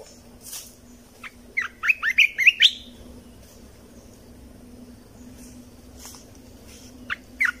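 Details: Red-whiskered bulbul song for training young birds and exciting caged birds: a burst of bright, warbled whistled notes rising and falling around two seconds in, then a short pause and two more notes, with a low steady hum beneath.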